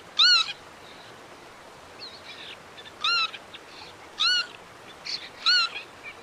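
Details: Northern lapwing uttering four short, arched, wheezy notes at uneven intervals, with softer chirps from other birds scattered between them.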